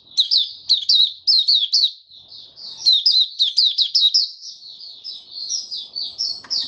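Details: Caged white-eye building up its song: clusters of bright, quick high notes, each burst dropping slightly in pitch, then a smoother warbling stretch toward the end.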